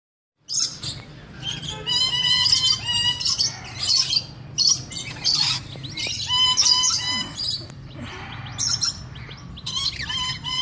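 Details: A breeding pair of Swainson's Lorikeets (Rainbow Lorikeet), whose babies are in a nest box, give harsh, buzzy screeches in quick, overlapping, nearly nonstop bursts, with a faint low hum beneath.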